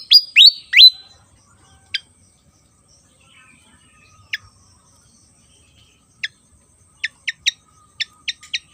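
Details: Javan fantail, an insect-eater with a fan-shaped tail, sings three loud rising whistles at the start. Scattered single sharp chips follow after pauses, then a quickening cluster near the end.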